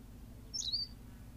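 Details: A single brief, sharp high chirp from a Berthelot's pipit on La Gomera in the Canary Islands, with a slight downward-sliding tail, over low background rumble.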